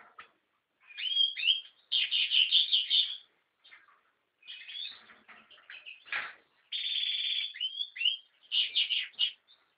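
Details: American goldfinch song in bursts: rapid twittering trills and buzzy rattles, interspersed with clear upslurred whistles, separated by short silences.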